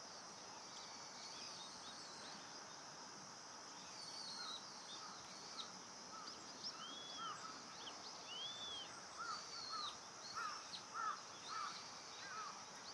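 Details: On Amami Oshima, Japan, an Indian pratincole calls with quick arched notes that grow more frequent and louder in the second half, mixing higher swooping and lower clipped notes over a continuous insect drone.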